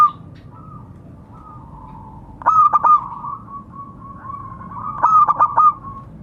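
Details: A local zebra dove calls to others. A faint, drawn-out trill of coos runs through. Two loud bursts of quick, clipped notes come about two and a half seconds apart.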